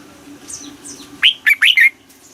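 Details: Red-whiskered bulbul kept caged in Thailand, performing southern master-phrase song for stimulating and teaching birds. Faint high thin notes open, followed by a loud four-note warbled phrase of slurred whistles, with a low background hum.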